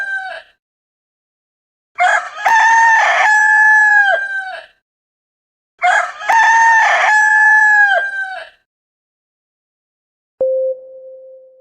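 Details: Rooster crows twice in a row, each a loud ragged cock-a-doodle-doo about three seconds long with a buzzy start and a sustained tail, the end of an earlier crow at the start, then a short pure tone.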